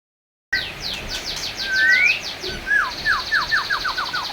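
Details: Black-tailed white-rumped shama in full song, used to lure other shamas into singing: a rising clear whistle, then a rapid series of repeated down-slurred whistled notes, bright and loud.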